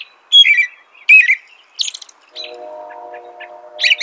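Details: American robin giving a few loud downward-slurred whistled phrases and a high squeaky note, then a steady low humming drone underneath before another phrase closes.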